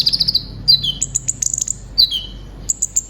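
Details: Caged brown-throated sunbird (konin): an opening high trill, then falling whistles and scattered very high chirps, a soft low hum underneath.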